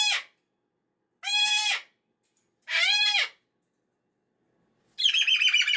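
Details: In a Monday morning meltdown, a pet cockatoo lets out three harsh screams at about one-and-a-half-second intervals, then switches to a rapid buzzy, pulsing rattle.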